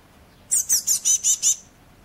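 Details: Fallen-from-nest Eurasian blue tit fledglings, five birds, 31 May 2012: one burst of six evenly spaced, very high, sharp chirps lasting about one second, with silence around it.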